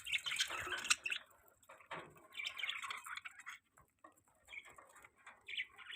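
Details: Budgerigars in a mating call, a jumble of short scratchy chirps and warbles rising and falling in quick bursts, with brief pauses between phrases.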